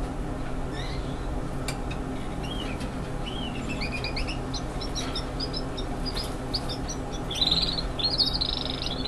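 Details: Young Spanish Timbrado canaries singing in the classic, continuous style: thin high chirps and short rolling trills building to a brighter warbled run near the end, partly buried under heavy broadband background noise.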